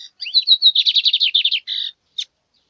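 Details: Loud, clear Lined seedeater song: a fast run of slurred, rising whistled notes blending into a rattling series, ending in a steady buzzy note, followed after a pause by one sharp chip.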